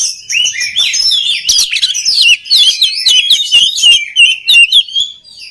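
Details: Oriental magpie-robin song, used to train other magpie-robins: tumbling series of looping whistles and sharp clicks, bright and fast, with a few short pauses between phrases.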